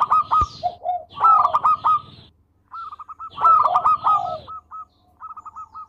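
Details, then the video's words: Frequently singing local zebra dove, kept as a training recording: two loud rolling coo bursts, each followed by a tail of short, even, repeated coos at a steady pitch. "Perkutut Lokal Gacor Suara Merdu"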